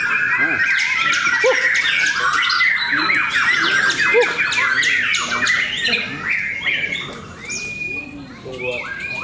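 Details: White-rumped shamas at a Cikeas singing contest produce a rapid stream of sharp repeated notes and trills, then steadier drawn-out whistles as the chorus thins toward the end.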